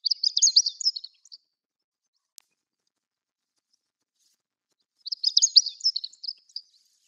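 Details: Chestnut-eared bunting at Sarobetsu wildflower garden, with Ezo daylilies around it, giving two brief, high, scratchy twittering phrases about five seconds apart, each roughly a second long, with quiet in between.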